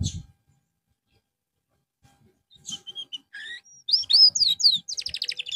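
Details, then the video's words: Canary being given therapy after losing form, breaking into quick descending whistled sweeps and a rapid trill after a quiet start, with faint knocks. "TERAPI BURUNG KENARI SETELAH AMBROL"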